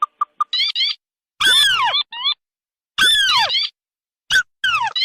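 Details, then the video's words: Red and white crake lure calls mixed together as a combination for trapping in rice-field and swamp settings: squeaky, bouncing harmonic notes in short bursts, some sliding down sharply, separated by brief silences. "Suara pikat burung tikusan merah vs putih"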